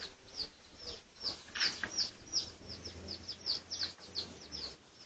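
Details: Pradu-coloured red junglefowl in a research recording made 18 August 2023, giving sharp, high-pitched peeping chirps in quick irregular succession, nearly three a second, with a soft low hum underneath.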